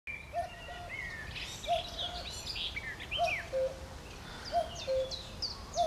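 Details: Common cuckoo calling on 12 June 2020: a low two-note cu-coo, the second note lower, repeated about every one and a half seconds. A chiffchaff's high, thin notes and another bird's chirps sound alongside.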